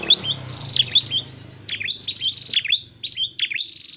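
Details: Song of a Dark-necked tailorbird, kept for training and trapping: clusters of piercing, high, quickly repeated notes about once a second, over a soft low hum.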